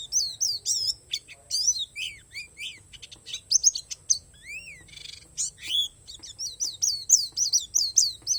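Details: Pleci palas Borneo, an Oriental white-eye from Borneo, singing an 'isian alam' song with natural filling: rapid high twittering chirps and upslurred notes, dense and continuous with brief pauses, plus a faint low hum.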